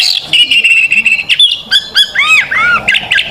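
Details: Oriental magpie-robin, a fighting bird in full song, kept as a master for young magpie-robins; long sustained whistles give way to swooping arched notes and rapid chattering bursts with no pauses.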